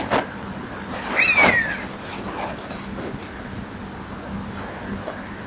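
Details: Common buzzard calling near the microphone of a nest-box camera at 19:38 on 28 September 2011: one descending mewing whistle stands above steady background hiss and low rumble.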